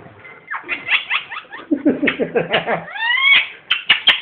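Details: Pet ringneck parrot laughing indoors, a steady chuckling series of short descending notes about four a second, followed by rising whistled slurs and a few sharp clicks.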